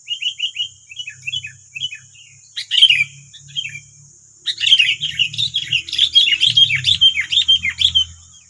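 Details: Sooty-headed bulbuls in the wild in West Lampung, Indonesia, nine birds responding to one decoy. A short run of quick, clipped chirps gives way after a pause to a loud, busy stream of overlapping warbling calls, with a faint low rumble beneath.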